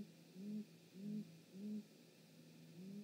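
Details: Great grey owl at its nest, parents visiting, 19:32 on 19 March 2018, live nest cam: four deep, soft hoots, each about a third of a second long, evenly spaced about every 0.6 seconds, over a low steady hum.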